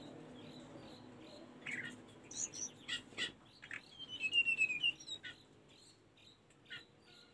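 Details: Tledekan gunung song for training caged birds: a burst of sharp chirps and clicks builds into a thin descending whistled run, then trails off into softer scattered notes.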